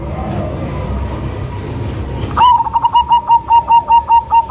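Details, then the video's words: Loud zebra dove of the Cemani type, kept as a lure bird: after noisy rumbling, a sharp onset then a rapid series of short, even coo notes, about eight pulses in two seconds. "PERKUTUT CEMANI GACOR SUARA BESAR IRAMA UNIK COCOK BUAT PANCINGAN"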